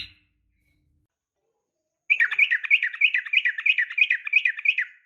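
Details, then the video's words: Female yellow-vented bulbul calling a male, combative style: after a quiet stretch, a clean, steady, fast series of lilting, bouncing notes repeated about three times per second for three seconds. "trucukan gacor SUARA NGGARUDA TARUNG ROPEL"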